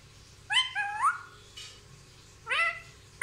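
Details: Indian ringneck parakeet kept as a talking pet that says mummy and papa, giving two short harmonic utterances: a stepped pair of rising syllables, then after a pause one brief squawked syllable, with a faint noise burst between and a quiet room hum.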